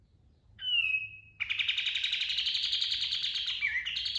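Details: Pied triller singing: a short clear whistle slurring downward, then a fast, even, buzzy rolling trill that runs for nearly three seconds and ends in a brief falling whistled note. Faint low rumble underneath.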